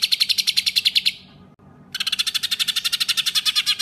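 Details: A songbird gives a tutor recording of rough 'tembakan' bursts for contest birds: harsh, rapid repeated notes, about eight each second, high and scratchy, breaking off briefly before resuming the same buzzy burst.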